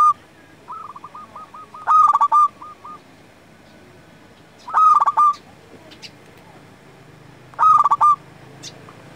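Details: Local zebra dove singing vigorously, used as a lure and as a tutor for quiet doves: loud bubbling cooing phrases of rapid clipped notes, repeated about every three seconds, with a fainter dove trilling a long stuttering coo between them.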